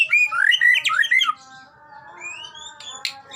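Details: White-rumped shama singing in a recording meant to coax a captive shama into song: loud whistled slurred phrases rising and falling for over a second, then quieter high notes and a faint steady background tone.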